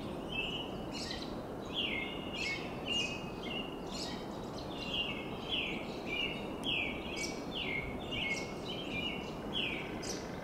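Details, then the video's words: American robins sing clear, caroling phrases, short and slurred, almost twice a second, from tall Monterey pines in Del Monte Forest, California, on a spring evening; a steady low rushing noise runs underneath. "The sounds of American Robins"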